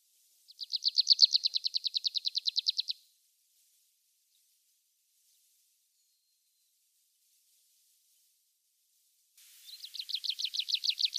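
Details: Wild tree pipit singing in Mongolian mixed woodland: a fast, dense trill of high, clipped notes lasting over two seconds, then a long silence. Near the end a second rapid trill builds in loudness.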